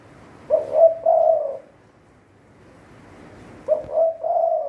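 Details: A captive spotted dove kept as a decoy bird gives a low, hollow three-part coo: a short note, a brief pause, then a longer drawn-out one, repeated after about three seconds.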